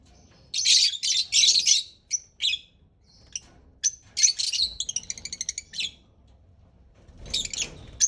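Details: Parrot producing harsh high squawky bursts, single sharp chirps and a quick series of evenly spaced clicking notes.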